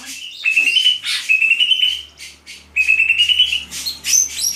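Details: Greater green leafbird song of clear, level whistled notes mixed with harsh buzzy fragments, given in two busy bursts separated by a short pause, over a faint low hum.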